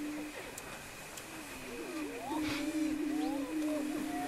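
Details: Several greater prairie-chickens at a lek near Wray, Colorado, on April 17, 2011. A continuous low booming chorus runs underneath scattered rising and falling cackles and whoops, growing louder midway.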